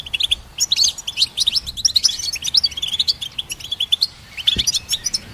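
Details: Energetic goldfinch hybrid song for songbird training: a continuous stream of crisp, rapid chirps and tinkling trills, steady and dense throughout, with one low knock near the end.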